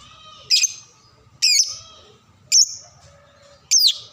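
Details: Shrill lovebird notes meant to teach young birds to sing, four high squeaky chirps about a second apart, each sliding and trailing off, with a soft steady hum in the background.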